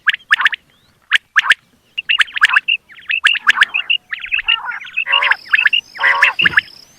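Quail giving quick, clipped two- and three-note calls, repeated about once a second, that grow denser and more tangled toward the end.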